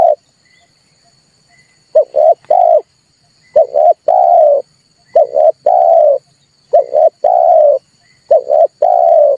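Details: Red turtle dove calling, played as a trap lure so birds respond: low coos in groups of a short note and a longer swelling one, repeated after brief silences.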